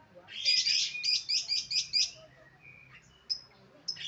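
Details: Lovebird giving a quick run of about six sharp, high chirps in a rhythmic burst, followed by thinner squeaks and a short pause.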